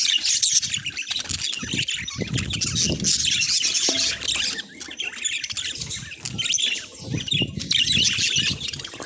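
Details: Budgerigars kept as pets in a busy chorus of overlapping high chirps, warbled twitters and brief squawks that carry on steadily throughout, with no music.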